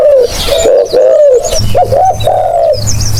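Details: Spotted dove calls, kept for use as a hunting lure: a dense run of low, hoarse coos, short notes then a longer drawn-out coo, with a faint hum underneath.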